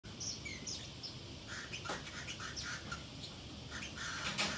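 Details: A Pacific parrotlet left alone at home chatters to itself indoors: scattered short chirps and a few brief whistled notes, high and thin, with soft clicks between them over a quiet, steady room hum.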